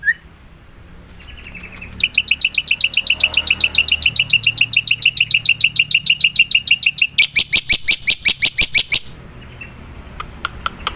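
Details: Black-winged myna, described as a wild, lively singing bird whose song is used as a lure: after a brief whistle, a long fast run of bright repeated chattering notes, a louder rattling burst, then scattered sharp clicks.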